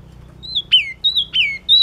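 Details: Rapid ringing phrases from a yellow-cheeked tit, a drawn-out high whistle snapping into a steep falling note, repeated three times within two seconds against a low steady hum.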